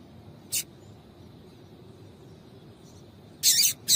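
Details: A female double-collared seedeater calls to excite a male: one brief high chip, a long silence, then a longer harsh burst followed quickly by another chip.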